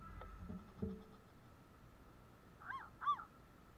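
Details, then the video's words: Asian koel, male and female, gives two loud, clear notes that swoop up then down about half a second apart, after a few low thumps and a faint steady hum. "Asian Male Koel and Female Koel"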